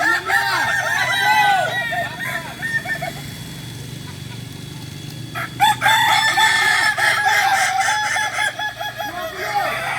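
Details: Kokok Balenggek roosters training together for crowing in Ampang Kualo, Kota Solok, West Sumatra: long, tiered crows of many stepped, arched syllables overlap from several birds, with a steady background hum and a brief knock midway.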